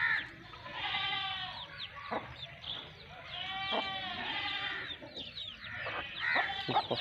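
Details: Aseel hen with her two-month-old chicks, Sindh, Pakistan: a steady stream of high, thin peeping chirps, many sliding downward, broken by a few short low clucks from the hen.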